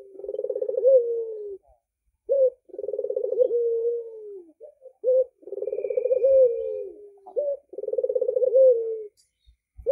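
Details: An albino red-eyed Barbary dove gives four low, rolling, purring coos, each about two seconds long and ending in a short clipped note, with brief silences between.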